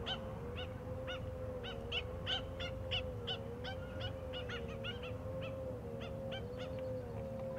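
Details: Australian pied oystercatcher pair hunting among beached seagrass on a shore: a rapid, uneven run of short, sharp piping notes, many in quick succession, over a steady low droning hum.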